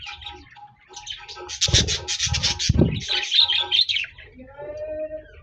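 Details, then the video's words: Budgerigar song from 26 January 2024: twittering chatter and squeaky notes, broken midway by several loud broadband rattling bursts, then softer warbling with a drawn-out whistle. "Budgies Birds Singing Chirping Sounds Parakeets sounds"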